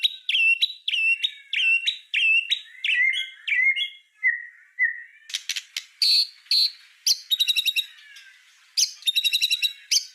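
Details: White-rumped shama, locally murai batu, singing a 'full tembakan' master song for tutoring other birds: paired ringing notes repeated about every half second, then harsh clicks and fast rattling bursts at the end.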